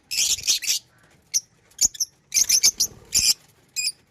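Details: Shrill chirps and short chattering bursts from pet lovebirds, in clusters separated by brief silences.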